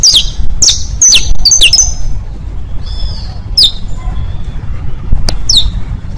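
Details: Saffron finch teaching song, bastos, pintos and finos: a cluster of rapid high slurred chirps at the start, then scattered single notes, over persistent low-frequency noise.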